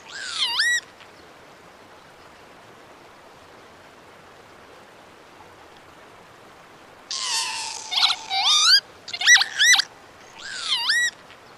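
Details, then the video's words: Northern lapwing, a crested wader of open grassland, farmland and wetlands, giving harsh, wheezy calls that slur sharply up or down, a single call first, then a burst of several after a pause. "Northern Lapwing Song"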